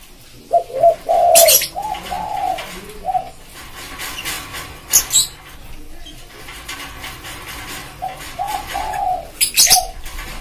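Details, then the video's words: Spotted dove song used as a lure for wild birds, a pédo élem voice with a soft manggung tone. Low, hollow coo phrases come in two groups, near the start and near the end, amid sharp broadband clicks and rustling. "Suara Tekukur buat pancing burung liar (koleksi) / suara pancingan burung tekukur"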